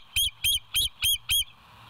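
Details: Bald eagle on the West End nest cam, 07/09/2023 at 06:24, giving five sharp, high, squeaky piping notes with harmonics, evenly spaced about every quarter second, against a faint low hum.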